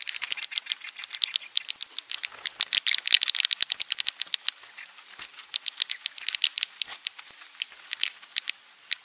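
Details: Klepek-klepek roosting call of edible-nest swiftlets, meant to draw birds in: a dense, dry rattling chatter of rapid clicks, with brief high whistled notes at the start and near the end.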